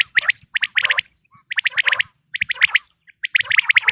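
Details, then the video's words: Quail voice presented for quail hunting in the 2026 season: rapid clusters of sharp, high chirping notes in groups of three to five, separated by brief silences. "بٹیر کی آواز"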